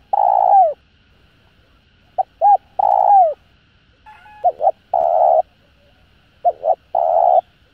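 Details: Spotted dove calling to urge other doves to coo quickly. Three phrases come about every two seconds, each with short clipped notes leading into a long, level coo that sometimes drops at the close.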